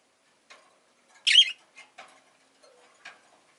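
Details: Single loud, rasping chirp from a pet Rosy-faced lovebird, framed by soft scratchy clicks and brief chatter before and after.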